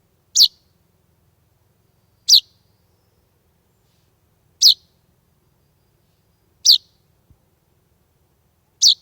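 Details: Young chaffinch on a summer evening in Estonia, 16 July 2020, sitting at an open door without its parents: five short, bright, high chirps, roughly one every two seconds, evenly spaced in an otherwise quiet setting.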